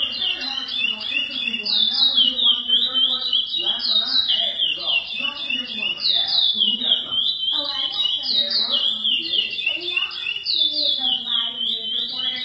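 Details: Captive-bred chestnut-bellied seed finch (curió) sings the classic "praia" song: a loud fast run of clear whistled notes sliding down and up, repeated several times a second, over a low murmur.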